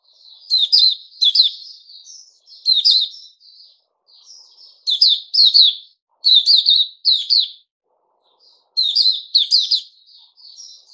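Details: Puteh Raja bulbul, 8 May 2021, fed fruit juice with a mealworm: lively, clear warbling phrases of rapid up-and-down notes, with soft whistled fragments between louder bursts, sung repeatedly over eleven seconds.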